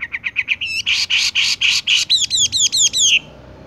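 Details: Tung roll song of a Horsfield's bush lark (wambie): quick clicking notes, harsh buzzy bursts, then rapid downward-sweeping notes repeated in a fast series over low background noise.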